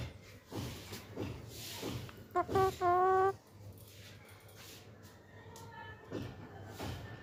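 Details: Hungry green parakeets in Pakistan, heard over a murmuring, rustling background: a tight cluster of three short, loud, nasal notes near the middle, with fainter calls later.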